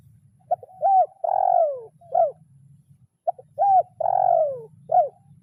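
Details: Spotted dove calling to a rival, kuk 0-1 lure style. Loud repeated phrase twice: a quick opening note, an arched coo, a long descending coo and a short end note, about three seconds apart, with a soft low hum behind.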